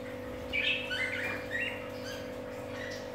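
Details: Pet budgerigars chattering: a short run of bright, twittering chirps in the first second and a half, then quieter scattered notes, over a constant low mechanical hum.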